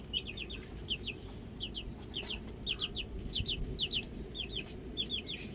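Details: Outdoor baby chicks peeping in rapid clusters of two to four high, slightly descending chirps, repeated about every half second, above a steady low background noise.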